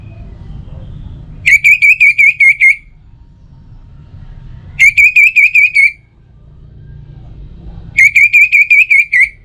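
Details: Three evenly spaced phrases from an orange-headed thrush, each about six clear, repeated whistled notes at steady pitch, used as a morning and evening lure so birds sing more; soft low hum between phrases.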